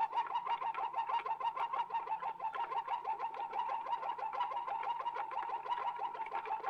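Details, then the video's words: A Waterslager canary on an old Belgian record sings low, bubbling, water-like rolls: rapid, pulsing notes that run on without a break over a faint indoor hum. "Old Canary Waterslager Song - カナリアの鳴き声"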